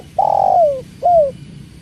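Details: Spotted dove (tekukur) cooing beside the sound of water: a long, level coo that slides downward at its end, followed by a shorter falling coo, over a soft continuous background of flowing water.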